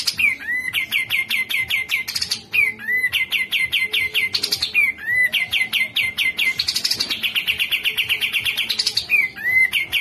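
Grey-cheeked Bulbul giving loud, fast runs of sharp, high chattering notes, each phrase opening with a clear down-slurred whistle; no other sounds stand out.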